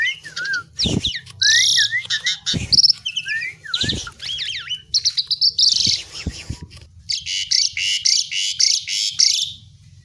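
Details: Asian pied myna, locally jalak suren, singing vigorously: a rich, varied run of clear rising and falling whistles mixed with buzzy, harsh bursts and rapid chattering phrases, nearly continuous for ten seconds, with a faint low hum beneath.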